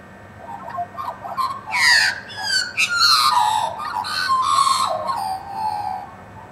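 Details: Wild Australian magpies, about twenty, scavenging and being hand-fed meat by a neighbour: rich warbling, gurgling calls with slurred notes falling through the phrase, several birds overlapping, plus a man speaking to them.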